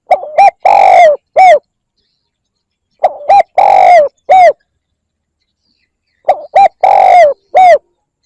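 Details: Spotted dove cooing, used to attract birds: three identical phrases repeated about every three seconds, each with two short hollow notes, a long mellow coo sliding down, and a last short coo, against silence.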